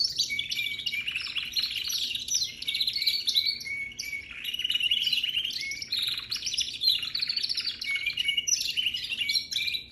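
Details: Young canary in continuous song: a rapid, unbroken high warbling of buzzy trills, chirps and short steady whistled notes, rising and falling in rolling phrases without pause.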